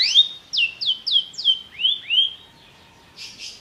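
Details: Belgian canary giving a popular song phrase: a string of about eight slurred whistled notes, first falling then rising, followed by a brief soft rasp.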